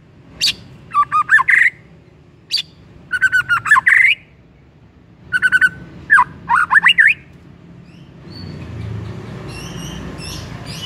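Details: White-rumped shama lure song meant to set off another shama: short bursts of harsh, rasping notes mixed with twisting whistles, in clusters separated by pauses, ending in soft high chirps over low hum.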